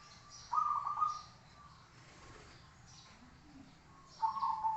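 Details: Song of the zebra dove for song training. Two rolling, trilled coo phrases, under a second each, open and close the passage, with a quiet gap and faint hiss between them.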